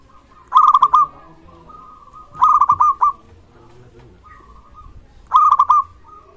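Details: Zebra dove of local stock calling steadily, meant to draw other zebra doves into calling and stir rivals: three quick runs of rolling, staccato coos spaced roughly two to three seconds apart, with faint low murmurs between.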